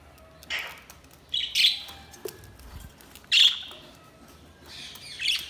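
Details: Budgies chirping: scattered short, bright squeaky chirps and warbles in small bursts with quiet gaps between, over a low steady background hiss.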